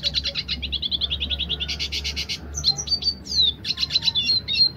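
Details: Red siskin, dilute colour, singing in roll tembak style: a run of rapid buzzy trills, then louder rattles, followed by sharp slurred whistles and chattering notes over a faint low hum.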